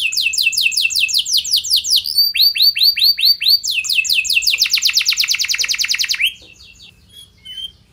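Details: Canary song used as a lure to get other canaries to respond: rapid trills of falling high notes, a series of slower upswept whistles, a long fast dense trill, then near silence with faint chirps.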